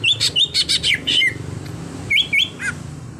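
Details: Caged greater green leafbird singing: a fast run of bright chirping whistles, then a short gap, then a few more rising whistled notes and a falling note to end.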